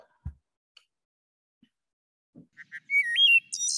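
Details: Wood Thrush song: two soft low notes, a flute-like warbled phrase, then a high shimmering trill, with a few faint thumps and room noise first.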